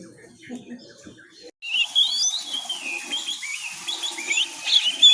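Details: Oriental magpie-robin chick learning to sing (ngiriwik): after a quiet low murmur, a sudden stream of wavering, sliding whistles and thin chirps starts and carries on without pause.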